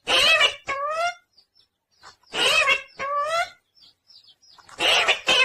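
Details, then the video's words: Pet parrot talking, called tota locally: three bursts of harsh, speech-like syllables about two seconds apart, each a gravelly chatter followed by a short rising, whistled harmonic phrase, with quiet gaps between. "talking parrot Mithu original Sound Tota"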